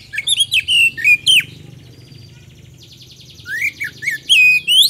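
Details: Lively magpie-robin song used as a lure recording. Bright whistled notes, rising and falling, come in quick bursts, with a hum of background birdsong and a buzzy trilled chorus filling the pause.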